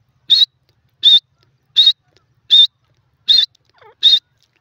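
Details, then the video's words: Grey francolin (dakhni teetar), one of a captive breeding pair, calling: loud, sharp, high notes, each short and clipped, repeated steadily about every three-quarters of a second, with a faint softer chirp between the last two. "gray francoline calling"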